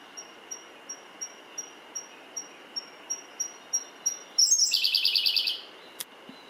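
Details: Song of a Siberian blue robin, recorded 18 June 2019 on Mount Mitsutoge, Misaka range by Fuji, Japan: about a dozen sharp, high ticks spaced evenly and swelling, followed by a fast ringing trill, with one faint click afterwards.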